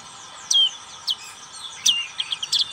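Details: Black-capped white-eye giving a few clear high notes in ngriwik song: loud, sharply falling whistles spaced apart, then a quick run of short chips at the end, over quiet hiss.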